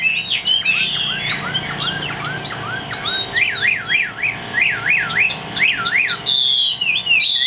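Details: Chinese hwamei, a caged songbird with a fig-leaf tail noted for high singing. A series of short downslurred notes leads into bold zigzag whistles, about three per second, ending in a sustained high trill.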